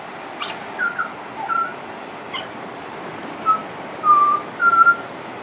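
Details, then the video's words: Pied butcherbird singing continuously and reported to mimic other sounds; pure whistled notes come in short phrases, some level, some gently falling, spaced irregularly across a hissy background. "Pied Butcherbird wouldn't shut up"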